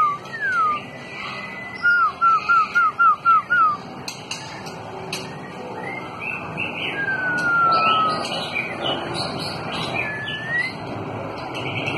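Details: White-rumped shama singing in a contest: a quick series of six short, loud whistled notes, then a long, smoothly falling whistle and later a rising one, with fainter chirps and background hiss.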